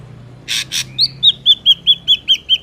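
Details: Lure recording for trapping an Ashy drongo: two harsh, rasping notes followed by a steady string of eight short whistled notes, each about a fifth of a second apart.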